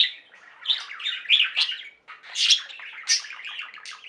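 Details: Pet budgerigar flock singing and chirping indoors: dense warbling chatter of quick chirps and buzzy notes, with louder sharp squawky bursts, a brief pause near midway.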